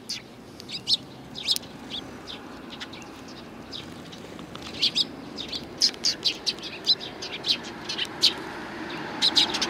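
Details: Sparrows, one with a hurt leg, come to greet the recordist on the outward walk on 7 April 2020; short high chirps repeat irregularly, clustering more densely in the second half over a steady low background hum.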